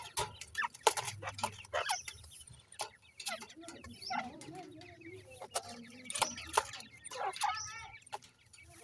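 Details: Captive grey francolin chicks in a breeding setup chirp in quick bursts of thin, upward-sweeping peeps. The peeps are broken by loud clicks and tapping, over a background hum.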